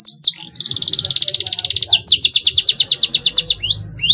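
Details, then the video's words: Canary song for prompting young canaries to sing in a chatty fighter style: a couple of sharp notes, then a long rapid trill followed by slower, louder repeated downslurred notes and a final upward sweep. "CUIT CUIT PERANGSANG TROTOL AGAR MAU BUNYI GACOR FIGHTER"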